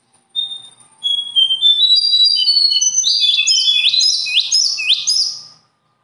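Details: Bird opens with thin, drawn-out whistled notes sliding at varying pitches, then breaks into rapid repeated phrases of high notes and bright upward sweeps, about two per second.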